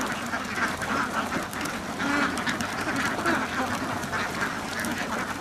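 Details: A crowded flock of ducks on a farm quacks nonstop, with harsh, nasal calls layered into a thick, steady wall of sound that swells slightly near the middle.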